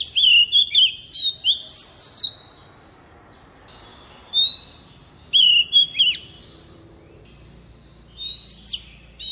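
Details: Wild-voice song of an Oriental magpie-robin decoy used to teach young birds: lively runs of high, sweet whistles mixed with sharp downslurred chips, a long rising whistle midway, phrases repeating with brief pauses throughout.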